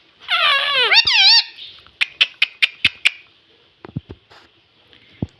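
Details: Pet ring-necked parakeet that mimics the word "mummy": a wavering, rising and falling voice-like squawk indoors, followed by a series of sharp clicks and small taps.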